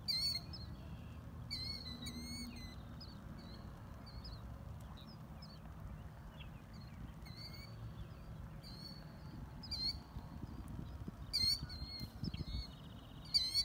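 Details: Killdeer parents performing the broken-wing display near their chicks at Whalon Lake, Naperville, Illinois, USA, on May 1, 2020; thin high trilled and rising piping calls in scattered bursts over a steady low rumble of background noise.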